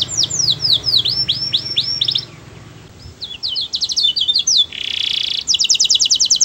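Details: Canary singing sweetly to draw other canaries into song: quick descending whistled sweeps, a pause of softer scattered chips, a short dense buzz, then a fast, evenly pulsed bright trill.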